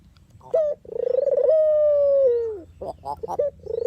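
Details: Dove, called puter or deruk, recorded for use as a lure and decoy in bird trapping; a short note, then a rapid pulsed purring coo that smooths into a long steady tone and falls away at the end, followed by brief harsher notes.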